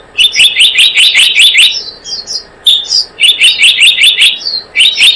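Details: Blue-eared kingfisher calling on a bird-luring track: rapid series of sharp, high, clipped notes, about ten in each burst, two bursts broken by a short pause with softer scattered notes.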